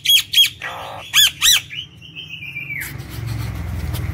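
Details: Nias hill myna in lively song, used as a lure for other birds: two sharp whistles, a rasping buzz, two more harsh whistled notes, then one long drawn-out whistle that slides downward, with low background rumble.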